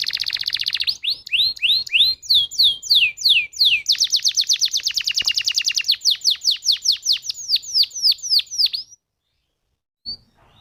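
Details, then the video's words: Canary lure song to trigger singing in other canaries: a buzzy trill, slurred rolling phrases, and a long run of sharp falling notes slowing toward the end, then silence and one faint note. "Pancingan Burung Kenari Jitu Langsung Nyaut Kenari Mana Pun Bakal Ngerol Dengan ini"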